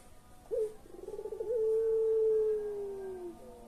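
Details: Puter collared dove delivering a pelung coo meant to stir silent birds: one sharp upswept note, a quick bubbling roll, then a very long, steady coo that slowly drops in pitch.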